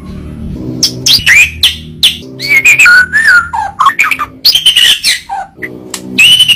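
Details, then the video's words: White-rumped shama (murai batu) song used as a masteran training recording: loud varied whistles, slurred upward and downward notes and sharp bursts, with a steady low hum underneath. "Masteran burung murai batu suata unik sukses bikin emosi"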